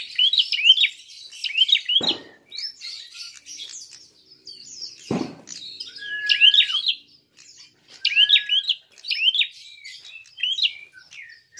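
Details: Sharp, rising chirps from a fighting prinia, a provoking lure, delivered in rapid clusters of three or four notes again and again, with a drawn-out falling whistle and two dull thumps.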